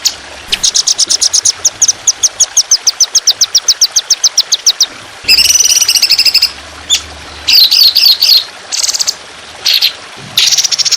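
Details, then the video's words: Long, harsh, continuous trotolan song from a songbird training recording over trickling water. A rapid run of high chirps gives way to dense buzzy trills and warbled bursts separated by short gaps. "Masteran Burung Trotolan Jahat Tembakan Panjang Kasar Ngedur || Masteran Burung Dengan Gemricik Air"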